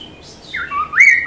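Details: Caged Chinese hwamei (poksay Mandarin) singing a master song for training other songbirds: clear whistled notes, a high slurred whistle dropping then rising sharply, ending in a sustained bright whistle.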